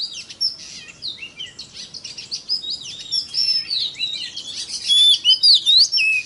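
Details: Oriental magpie-robin song used to excite other kacer birds: a jumble of scratchy chatter and sweeping whistles, gradually louder, ending with clear slurred whistle notes.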